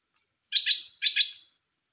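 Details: Caged red-whiskered bulbul delivering a brief melodious phrase: two lively chirruping note pairs in quick succession, bright and clear, no other sounds.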